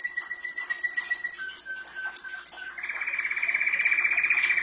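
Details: Canary at home singing high repeated chips about four per second over a low whistled tone, shifting into a fast, even, lower rolling trill.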